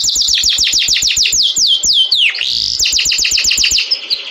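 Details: Canary singing to attract females for mating: loud, rapid series of sharp downward-sweeping whistled notes, about four per second, briefly broken by a lower swooping note before the fast sweeps resume.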